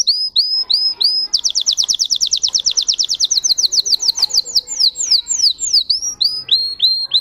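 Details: Russian canary, a song breed: hooked whistled notes, then a rapid rolling trill of descending strokes that gradually slows into spaced downslurred whistles and returns to hooked notes.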